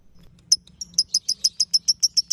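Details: Lovebird ngekek song meant for training other birds: a few scattered high chips, then a steady series of sharp, evenly spaced piercing notes, roughly seven per second.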